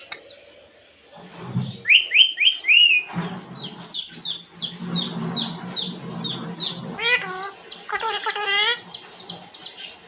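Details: Parrot chirping busily: a run of high descending whistled notes, then a long stretch of quick repeated chips and clicks with a few bending harmonic squawks near the end.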